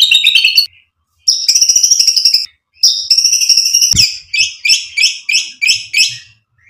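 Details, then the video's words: Shama song with imitated fill phrases, aimed at exciting listening birds: a high buzzy rattle, then long steady trills, and a final series of about eight short sharp notes at an even pace. "PANCINGAN MURAI BATU biar EMOSI NYAUT jadi GACOR BONGKAR MATERI ISIAN | SHAMA BIRD"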